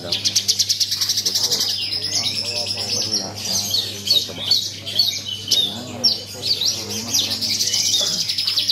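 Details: Bush lark competing in a bird contest opens with a fast buzzy rattle of high pulses, then breaks into varied sweeping whistles and chirps, with other birds and murmuring people behind.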